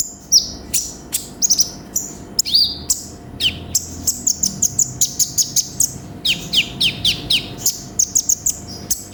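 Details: Energetic konin (sunbird) song, full of isian, recorded as a master for cage birds: high falling chirps at first, then a rapid run of sharp ticking notes near the end, over a low steady hum.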